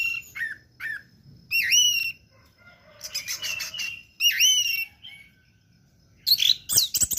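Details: Singing in 'teler' style, an orange-headed thrush produces looping swept whistles and buzzy chatter in separate phrases with short gaps, ending in sharp rapid notes; used as tutor and bait sound.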